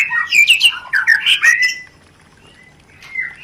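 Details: White-rumped shama rencetan call meant to spark mating: a quick burst of harsh, squawky chattering notes lasting under two seconds, then near silence broken by a faint thin whistle at the end.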